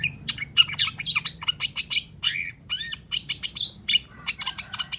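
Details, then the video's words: Cendet, or long-tailed shrike, singing loudly as a lure for reluctant shrikes: a varied medley of grating chatter, clear whistled upslurs and downslurs, and rapid scratchy trills, flowing continuously. "PANCINGAN CENDET SUSAH BUNYI PASTI LANGSUNG NYAUT DAN IKUT GACOR DENGAR SUARA CENDET GACOR INI"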